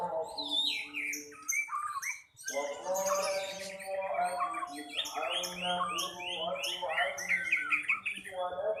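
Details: Several birds singing together at a busy Indonesian singing contest: dense, overlapping chirps and quick descending whistled notes, with a brief lull before the singing swells again, over a constant low crowd hum.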